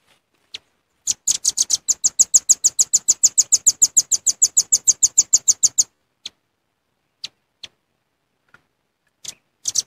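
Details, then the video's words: Velvet-fronted nuthatch lure call, said to be a genuine recording: after a few scattered high notes, a fast, even run of sharp, high chips comes about three or four per second for five seconds, then stops into near silence with isolated chips. "Suara Pikat Rambatan Paruh Merah"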